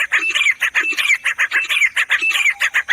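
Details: Grey Francolin (teetar) delivering a rapid, rhythmic string of harsh, ringing notes, several per second, steady and loud throughout the short stretch.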